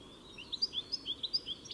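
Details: European goldfinch: a short series of about eight clear, high, quick chirping notes, evenly spaced and alternating slightly in pitch.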